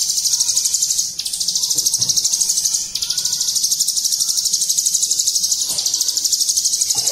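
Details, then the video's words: Ciblek gunung in 'bren ngunci' song: an unbroken stream of high, fast repeated notes, about three per second in pulses. It is interrupted only briefly twice, with faint lower chirps in the background. "Ciblek Gunung Bren Ngunci Istimewa"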